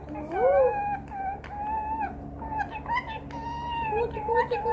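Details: Singing green parrot whistling in a string of bright, level and gently wavering tonal notes, some sliding upward, with soft clicks between phrases and a steady low hum behind.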